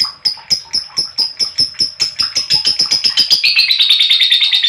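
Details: Lovebird chirping played to set other lovebirds singing: a fast, steady run of high, clipped notes that speeds up into a dense, buzzing trill toward the end.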